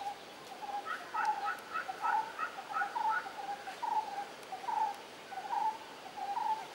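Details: A Jungle babbler (Turdoides striata) at Rishikesh, Uttarakhand, India, in May 2016 gives short, nasal, squeaky notes, a little over one a second, in a loose chattering run over a faint background hiss.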